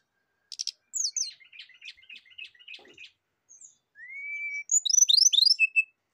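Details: Rufous-chested flycatcher song for luring and therapy: a few sharp clicks, a chattering series of high twittering notes, a long smooth rising whistle, then a loud burst of rapid, high descending trills.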